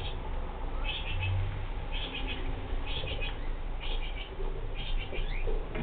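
Kakariki give short bursts of rapid, chattering notes about once a second, over a steady low rumble of background noise.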